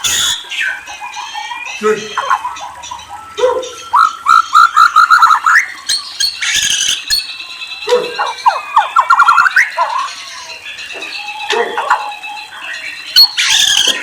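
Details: White-rumped shama singing a long, varied song of clear whistles, slurred notes and quick trills, with short bursts of rapid repeated notes and brief pauses between phrases.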